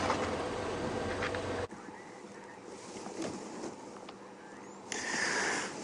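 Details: Vehicle engine rumble and broadband noise with abrupt level changes, faint speech, and no animal calls evident.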